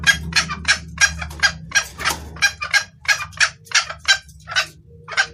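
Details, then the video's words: Female red junglefowl calling her male, clear audio for luring: quick gritty clucks about three per second, grouped in irregular pairs and triplets, with a faint low hum beneath. "Suara ayam hutan betina gacor pangil pejantan"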